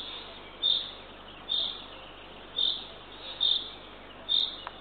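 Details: Eurasian eagle-owl owlet at a nest camera in Northern Estonia, fed by its mother at dawn, 6:21 am on 3 June 2023; short hoarse hissing bursts repeat roughly every second over steady background noise.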